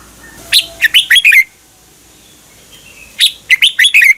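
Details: Red-whiskered bulbul song recorded in Thailand for caged birds to copy: two lively phrases of five or six sweet, falling whistled notes each, about two seconds apart, with faint background hiss.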